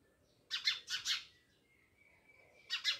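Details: At a village house in Jamnagar, a house sparrow gives three quick harsh chirps, then a faint thin whistle and two more chirps.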